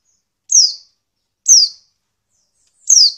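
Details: High female Oriental white-eye calls meant to trigger male song: three sharp, down-slurred notes, each about a second apart, loud and clean against silence.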